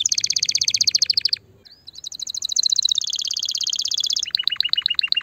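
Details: Canary singing to stimulate the female: a rapid high trill, a brief pause, then a long rolling buzzy trill slowly dropping in pitch, ending in clipped repeated chirps.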